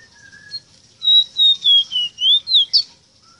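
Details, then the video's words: A ruddy-breasted seedeater sings a tutor song for captive birds. Long, smooth whistled notes drift slowly downward, then one rising slur and a final sharp upward flick close the phrase. "INCREIBLE CANTO PARA ENSEÑAR A CANTAR A TU ROSITA"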